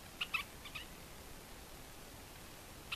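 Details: Red-shouldered Spinetail, a pair present, in Caatinga of northeast Brazil, vocalizing in the open: four quick, nasal notes in under a second, then one more after a pause, over faint steady hiss.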